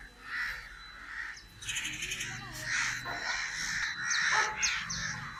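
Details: Crow cawing rapidly, with several harsh, grating calls crowded together, and some higher thin chirps from other birds mixed in.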